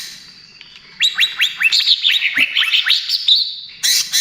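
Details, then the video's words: Greater green leafbird song used as a lure and therapy for other birds: a rapid run of sharp, bright upslurred and downslurred notes, closely strung together for about three seconds over a faint steady high tone, then an abrupt loud burst. "SUARA CUCAK IJO TROTOL GACOR, AMPUH UNTUK PANCINGAN DAN TERAPI"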